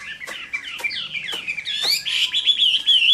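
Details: Fighting song of a Chinese hwamei on a summer midday, fast slurred whistles falling and rising, growing louder into a sustained, wavering high warble, with a few sharp clicks in the background.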